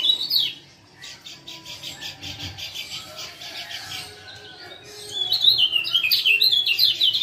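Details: A male Lemon-bellied White-eye (Lombok form), used as a lure call to get a silent bird singing again, gives a fast run of thin, high chirps, about four a second, then a bright, twittering warble near the end.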